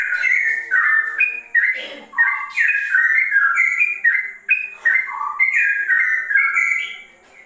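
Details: Sooty-headed bulbul with straw-headed bulbul-like song, pouring out clear slurred whistles in quick succession, with one lower, rougher note near the second mark amid the bright phrases.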